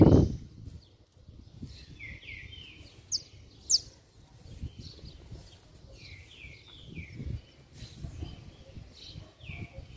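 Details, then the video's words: A saffron finch sings hard, the kind of song used to excite other saffron finches. Clusters of rolling, descending chirped notes come in bursts, with a loud thump at the start and low rumbling throughout. "Canário da Terra Estralando Muito - Ótimo Para Esquentar Qualquer Canário-da-terra"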